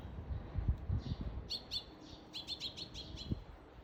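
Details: Parent Eurasian tree sparrow holding food in its bill calls for its missing chick, recorded 17 June 2021; a series of short sharp chirps repeated several times a second over loud low rumbling background noise.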